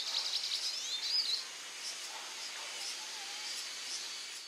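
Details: A hooded siskin (Spinus magellanicus magellanicus) at Costanera Sur, Argentina, in February 2022 gives a fast, high, twittering jumble of thin notes for about a second, then quieter scattered chirps over steady hiss.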